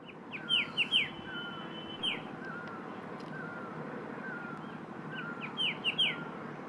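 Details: Himalayan white-browed shrike-babbler calling in oak hills at Landour, Uttarakhand, India: loud, clear, sharp downslurred chirps in quick bursts, a pause, then another burst, over steady background hiss.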